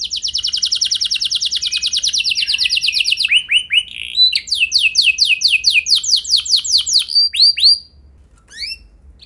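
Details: Canary singing, a lure recording meant to get other canaries rolling long; a fast steady trill lasting over three seconds, then arched whistled phrases and rapid swept notes, ending in near-quiet with a few chirps.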